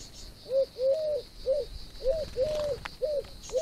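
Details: Common wood pigeon cooing; soft, low hooted notes, some short and some drawn out, follow one another in a steady run of about seven, over a constant high insect-like hiss and faint background noise.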